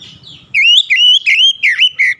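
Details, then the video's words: Clear, strident song of the oriental magpie-robin, used to wake up lazy singers; five loud swooping whistles in close succession, each bending down then up, after a brief muffled low noise. "KICAUAN SUARA TAJAM JERNIH PEMULIH AMPUH KACER MALAS BUNYI LANGSUNG GACOR"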